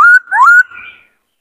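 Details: A white-cheeked laughingthrush in many-voiced song, used for training young birds and exciting males to sing and dance. A steady whistle, then a swooping rise into a second sustained whistle that fades away.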